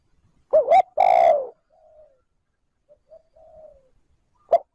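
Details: Decoy spotted dove calling 'trơn ròng' to rouse wild doves. One complete phrase, a quick double note and then a long descending coo, is followed by quiet soft notes and the start of another phrase.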